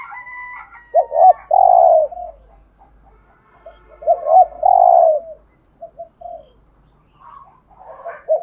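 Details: Decoy spotted dove cooing to attract other doves: two phrases of short double notes and a long coo, with a thin high whistle at the start and faint chirps later.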